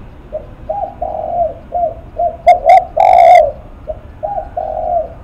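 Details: Loud spotted dove phrase of two short coos and a long hoarse coo, from a bird described as shaking its face. A quieter second dove coos steadily before and after it.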